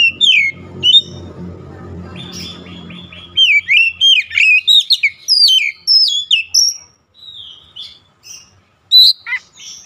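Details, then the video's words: Oriental magpie-robin song meant to stir up rival birds: varied, loud whistled phrases with sharp rising and falling slurs and quick trills, preceded by a low rumbling noise in the first three seconds. "KICAUAN MENAIKAN EMOSI KACER"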